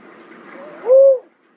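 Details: A lone hollow coo of a cuckoo-dove, short and arched, following a stretch of soft background hiss.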